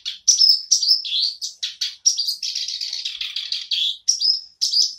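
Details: Song of a black-browed reed warbler starting up again: loud, continuous harsh chatter with buzzy churring phrases and occasional piercing thin whistles, delivered at a hurried pace.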